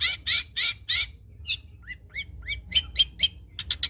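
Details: Long-tailed shrike, stuffed with cotton-and-fired mimicry, singing lively: harsh buzzy bursts repeated four times, then short rising whistles and sharp chattering notes.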